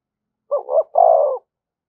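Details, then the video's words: Single spotted dove phrase used to provoke other doves: two quick soft coos running into a longer, level, hollow croo, clean and close. "tiếng chim cu gáy kích bổi"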